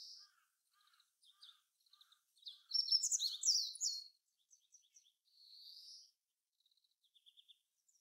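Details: Meadow Bunting in Japan, a bird of farmland, grassland and watersides: scattered soft high ticks, then a loud, fast, jumbled burst of sharp high chirps lasting about a second and a half, a thin drawn-out note, and more faint ticks.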